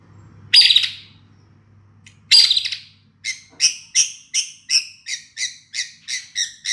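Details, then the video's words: White-rumped shama song used as a lure so a bird that has stopped singing answers: two harsh, rasping bursts, then a steady run of about a dozen clear, high, downslurred whistled notes, evenly spaced and repeated roughly twice a second. "pancingan murai batu macet bunyi langsung ikut nyaut bunyi"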